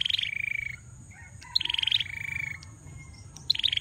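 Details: A male bar-winged prinia sings hard, giving a quick pulsed high note run that falls to a longer, even, lower buzz, then repeating the pattern after a short gap, with a faint thin whistle in between.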